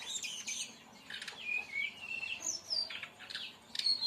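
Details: Brown-chested jungle flycatcher singing in the tembakan style, a rapid 'shooting' song used as training and lure material for other birds: clear whistled notes sliding between high pitches, short upward and downward sweeps, with brief noisy chips between.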